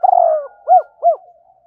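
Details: Spotted dove used as a decoy, calling: a longer wavering coo followed by two short, soft, evenly spaced hoots, low and mellow.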